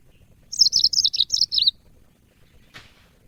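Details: Cage-bird training audio of a yellow-fronted canary: a rapid series of about nine high chirps, each falling slightly, lasting a little over a second, followed by quiet and one brief soft click.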